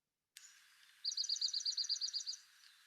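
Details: A Red-backed Dark-eyed Junco, a Dark-eyed Junco subspecies, recorded in southeastern Arizona's Madrean Sky Islands, gives a quick, even trill of about a dozen bright, high notes over a second and a half, against a faint steady hiss.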